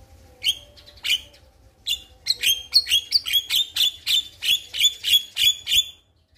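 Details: Male Javan myna calling to a female, played to lure caged birds: a steady series of loud, sharp high chirps repeated about every third of a second, building after a few spaced opening notes.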